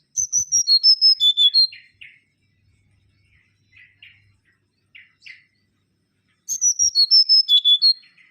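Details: Mangrove whistler giving two bursts of song about five seconds apart. Each is a run of around nine ringing whistled notes descending in steps. Between them come soft, scattered buzzy notes at a lower pitch.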